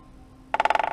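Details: Great spotted woodpecker (Dendrocopos major) drumming on a tree in January, winter, on a morning in northeastern Italy: a fast, woody roll of about a dozen strikes in half a second. It marks territory at the start of mating season and lures females.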